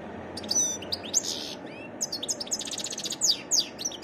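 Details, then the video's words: Varied song of a wild European goldfinch: sharp high chirps and a short buzzy burst, a brief lull, then quick descending tinkling notes and rattling twitters in close succession. "تغريد حسون متنوع"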